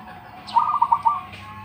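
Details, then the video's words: Local-type zebra dove (perkutut lokal), a kept bird praised for its big voice, gives one quick song phrase: a burst of about five staccato, low, hollow coo notes run together in half a second, over quiet background hum. "PERKUTUT LOKAL SUARA BESAR ISTIMEWA"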